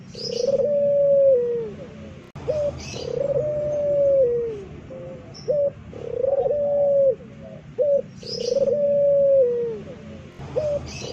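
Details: Barbary dove of the puter pelung type giving a loud coo said to howl like a wild dog: long steady tones that fall away at the end, each followed by short clipped notes, the phrase repeating about every three and a half seconds.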